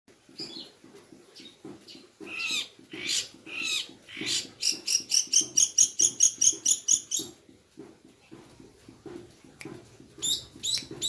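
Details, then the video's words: Long-tailed shrike lure song used to provoke singing; a run of harsh, scratchy notes building into a fast, regular series of high squeaky chips about ten in a row, then more rasping notes. "Pancingan cendet"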